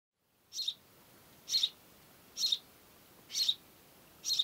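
A house sparrow gives five bright, short chirps, one about every second, with only a faint hiss behind.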